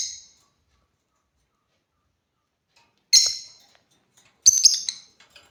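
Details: African lovebirds utter a brief shrill chirp, then after a pause a raspy chirp and a stuttering double chirp.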